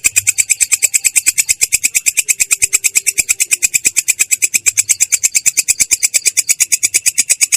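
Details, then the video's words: Clear, rough ngerol song of a long-tailed shrike, a quick, regular chatter of sharp high notes at roughly eight per second, continuous from start to finish. "belalang kecek ngerol!!! suara jernih kasar"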